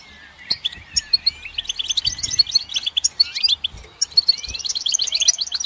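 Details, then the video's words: Goldfinch song with quick, jingling high notes building into a dense twittering run, mixed with rising whistled slurs and a few soft low bumps. "Goldfinch Song"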